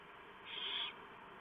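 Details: Single harsh, hissing screech from barn owls at the nest on 3 November 2015, night feeding of owlets after the male delivered a huge mouse.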